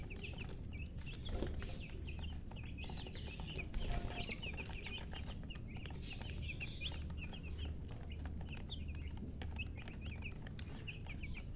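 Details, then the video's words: Chicken chicks cheep in a soft, scattered chorus of short high notes, steady throughout, partly masked by a loud low hum and occasional bumps. "silly chicken chirping sounds"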